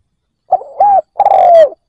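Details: Decoy spotted dove cooing to attract wild doves; a short note leading into an arched coo, then a long, gently falling drawn-out coo, with no other sound.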